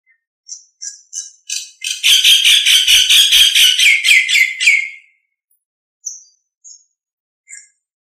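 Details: Nias hill myna song used as a master recording for training other birds: a few short high chirps, then a dense three-second burst of rapid, even, warbling notes, followed by scattered brief high chirps.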